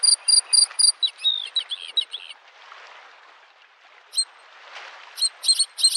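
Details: Bluethroat singing in spring by a lake: clear high twittering phrases of repeated sharp notes, a burst of rapid chips, a pause, then more chirps resuming, with soft lapping waves beneath.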